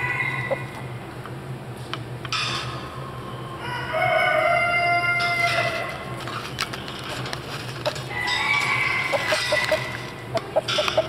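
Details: Swiss chickens at a poultry show in Boncourt, Switzerland, on 17–18 November 2012. A rooster's drawn-out, layered crow stands out over steady indoor hall noise, with scattered clucks from other birds around it.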